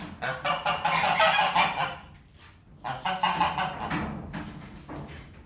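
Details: A pair of geese in a barn voicing disapproval of a new ferret playpen: two loud bouts of rapid, raspy honking separated by a short pause.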